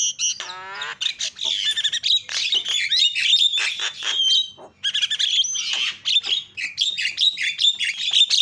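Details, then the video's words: A starling pours out lure chatter for birds that have stopped singing, opening with a fast buzzy rattle, then a jumbled stream of harsh squawks and thin whistles with one short break. "SEKALI PENCET JALAK LANGSUNG PADA CEREWET"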